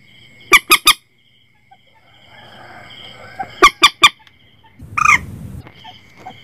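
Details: Staccato triplets of sharp Common Moorhen notes, two sets a few seconds apart, ending in a rasping squawk over low rumble, from a recording for setting nets at night.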